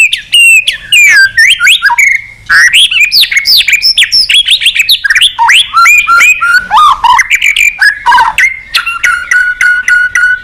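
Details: Lively white-rumped shama song aimed at drawing a rival, a dense, nonstop stream of rich whistles, swooping slurs and crisp chips, varying constantly, settling into repeated clear whistled notes at the end.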